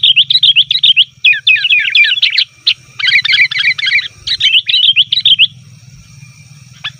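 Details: Rapid chatter of a sooty-headed bulbul, a lure call for wild bulbuls in the forest: nearly continuous runs of fast, jerky chirps for about five seconds, then quiet with a low hum.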